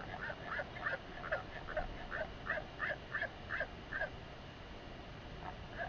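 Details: Northern royal albatross adults LGK and LGL yap and sky-call in unison while resting beside their chick at the Top Flat nest, Pukekura/Taiaroa Head, New Zealand, 28 Feb 2021: harsh braying double notes every half second, then stray calls over wind.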